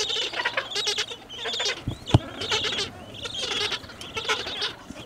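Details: Several Gentoo penguins at Orne Harbor utter grating, pulsed braying calls in overlapping bursts; a sharp thump sounds briefly midway through.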